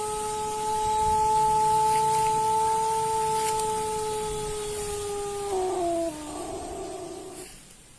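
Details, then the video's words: Closing part of a white Pelung chicken's crow: a sustained, even, harmonic tone held for several seconds, then breaking into a lower, wavering descent before fading, with steady background hiss. "Kompliasi Langka Suara Ayam Pelung Putih Istimewa"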